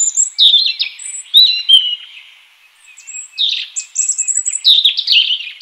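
A European robin sings a varied run of thin, high warbling phrases with quick trills and sliding notes, pausing briefly midway; nothing else is heard.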